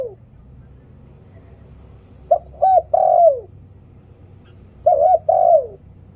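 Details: Spotted dove in 'liw tan' style for luring birds, giving two phrases roughly two and a half seconds apart, each a quick hoot or double coo leading into a long coo that drops in pitch.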